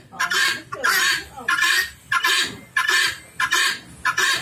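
A helmeted guineafowl hen gives harsh, grating two-part calls, repeated roughly every two-thirds of a second in a steady rhythm.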